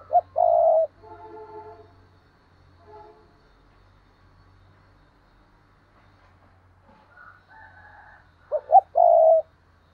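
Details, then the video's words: Spotted dove cooing as a decoy to attract wild doves. A loud phrase of a short note and a long, low coo opens and closes the passage. Fainter, layered calls fill the quieter middle. "tiếng cu mồi thúc bổi và gáy gọi bổi mới"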